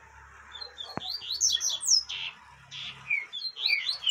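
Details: Female yellow-bellied seedeater calling to stimulate a male: bursts of high, thin chirps and short downslurred whistled notes in quick clusters, with a faint low hum underneath.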